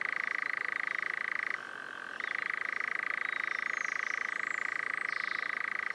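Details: Steady fast churr of a European nightjar (Caprimulgus europaeus), a rattling trill held for seconds, with one half-second shift to a lower, softer pitch midway, then the full churr again. Faint thin high notes are in the background.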